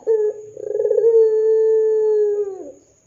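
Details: Vigorous ringneck dove coo used to draw answers from other doves: a short note, a rapid pulsing trill, then a sustained even low tone of about one and a half seconds that sags downward at the finish.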